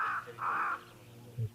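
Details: A pied crow pair at a waterhole, usually noisy and often heard on a live wildlife camera, gives two rasping caws in quick succession, then falls quiet apart from a faint low thud.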